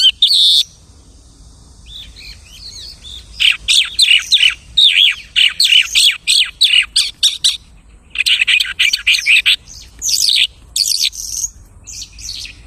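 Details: Long, varied stream of imitated bird sounds from a lark: chirps, trills and buzzy notes in dense runs separated by short silences.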